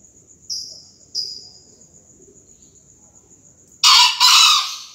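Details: Green junglefowl crowing for a 2020 crowing contest: after high insect chirps, a loud harsh two-part burst near the end, a short rasping note followed straight away by a longer one.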